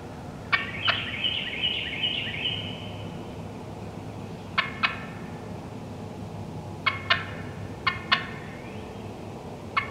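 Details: Hen wild turkeys calling in the woods: a quick rhythmic run of five yelps opens, then pairs and singles of sharp cutting clucks spread across the rest, with steady low hum.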